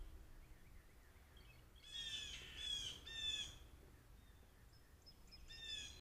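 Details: Blue Jays calling around a deck, recorded by a trail camera on 16 May 2023 with a mourning dove on the table; three harsh rasping squawks close together after a quiet start, one more at the end, over soft background noise.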